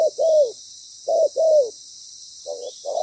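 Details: Loud spotted dove decoy with a well-patterned voice, calling while used for ground trapping. It gives paired low coos, the second of each pair drawn out and falling, with a softer pair at the end and faint hiss behind.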